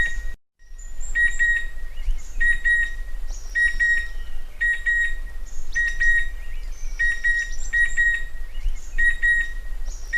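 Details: Chestnut-winged cuckoo giving paired, sharp metallic whistled notes, the pairs repeated roughly once a second, over a steady thin high tone and a low background rumble.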